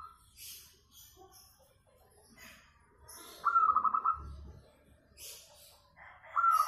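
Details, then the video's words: Local zebra dove with a sweet voice, used as a singing lure: a rolling phrase of quick coos midway and another beginning at the end, amid high chirps from other small birds. "KUTUT LOKAL SUARA MERDU SEKALI, COCOK BUAT PANCINGAN MANGGUNG"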